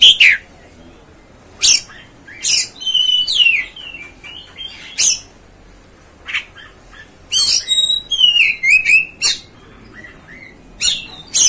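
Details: Oriental magpie-robin sound played to rouse a magpie-robin's temper: short sharp bursts of harsh chatter and clear whistled slurs, separated by brief silences, with rapid twittering phrases in the middle.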